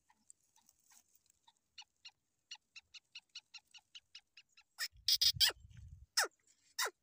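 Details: Free-roaming black francolin calling: a long run of faint, evenly spaced short clicking notes, then a few loud, harsh, downward-sweeping notes near the end, with a brief low rumble underneath.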